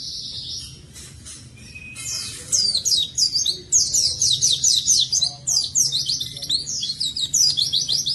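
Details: Oriental white-eye in vigorous song, used to spur lazy white-eyes into singing. Soft high notes and a thin whistle open, then a long burst of fast, shrill, downslurred twitters repeated several times a second.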